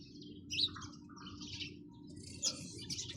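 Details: Sparrows chirping: a few short, high chirps in brief bursts, with louder sharp notes near the start and again about two seconds later, over a steady low background hum.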